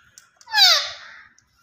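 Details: Green Indian ringneck parakeet, a pet talking bird, letting out one harsh downward-sliding squawk lasting about half a second, with faint clicks before it.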